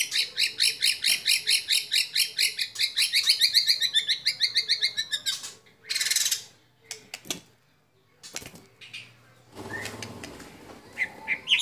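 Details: Competition song of a white-rumped shama, with mimicry fills that judges like. A long run of rapid, repeated ringing notes is followed by scattered clicks and rustling, then a few short chirps.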